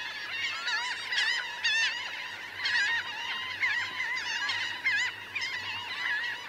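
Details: A large laughing gull flock, around 1000 birds on ground and in flight, calling in a busy overlapping chorus of wavering nasal cries, with clusters of louder calls every second or so.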